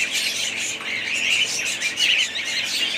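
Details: Budgerigars squawk and chirp together in a thick, scratchy chorus, with two clearer whistled warbles standing out in the middle.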